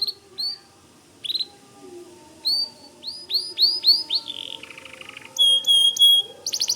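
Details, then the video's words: Scattered sharp chirps open this white canary song, building into quick upswept whistles, a buzzy trill, clear piping notes and a closing rattle. "Suara Kicau Kenari Putih Gacor Dor"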